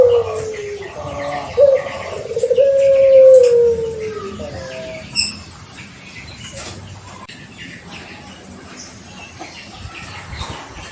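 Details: Young pelung-type Barbary dove, aged six months and paired early to prompt calling, utters a drawn-out coo that slowly falls in pitch over about four seconds. Quiet background with faint clicks follows.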